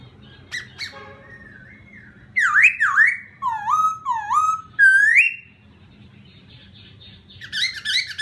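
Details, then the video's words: Varied whistled laughingthrush song meant to provoke a newly caught bird. It opens with short notes and a wavering whistle, then loud looping, dipping phrases, a quiet pause, and chattery notes at the close. "khướu kích bổi"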